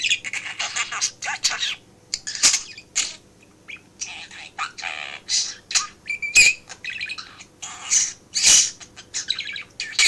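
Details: Pet budgerigar chattering indoors while its owner works in a home office, a continuous run of scratchy, warbling chirps and soft speech-like mumbles with short pauses, occasional sharper clicks and squeaks.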